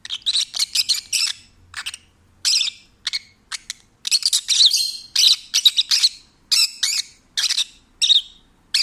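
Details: A pet peach-faced lovebird sings happily, chattering in quick bursts of shrill, scratchy chirps and squeaks, high and nearly continuous, broken by brief pauses between phrases.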